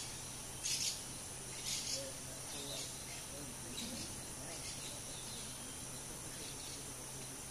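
Rufous-tailed jacamar giving two sharp, high notes a second apart, then fainter repeats, over a steady insect hiss and low hum.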